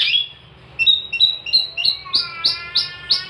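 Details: Long-tailed shrike singing as tutor material for songbirds: a harsh opening note, then a rhythmic series of short whistled and chirping notes repeated about three times per second, rising into buzzier, richer notes.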